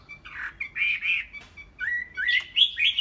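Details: Caged Chinese hwamei singing loud, rich whistled phrases, slurred notes rising and falling between warbling bursts, climbing higher toward the end with brief pauses between phrases.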